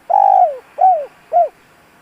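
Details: Spotted dove calling, used to stir a decoy dove into cooing: three low, mellow coos, the first long and the next two shorter, each arching and then falling, with silence between them.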